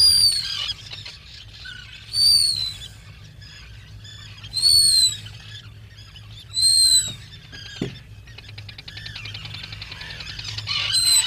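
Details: Black guillemot, a seabird that comes ashore once a year to breed, calling at its nest burrow: loud, piercing high whistles in bursts roughly every two seconds, with softer twittering between and a low hum beneath.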